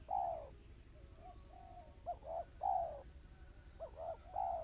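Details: Tight, quick 'kristal' song of a spotted dove: a long falling coo, soft murmured notes, then two more phrases of two short notes and a falling coo. Faint high chirps and a low hum are heard behind.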